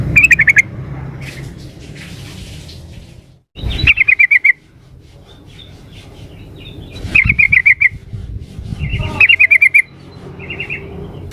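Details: Female yellow-vented bulbul calling a male, used as a lure: repeated rapid stuttering trills of six to eight clipped notes, each burst slightly falling, separated by quiet gaps with a few faint softer notes and brief rustling thumps.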